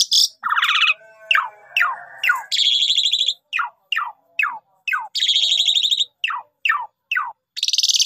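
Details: Javan pied starling in full, busy song used as a lure to get other birds singing: loud slurred notes falling sharply in pitch, repeated about twice a second, mixed with buzzy bands, rattles and high harsh bursts.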